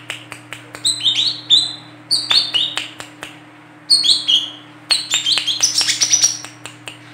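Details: Captive-style lure recording of a female olive-backed sunbird delivering sharp, rapid 'besetan' calls: clusters of high, piercing slurred chips with quick clicks between them, in four short bursts, with a faint constant hum beneath.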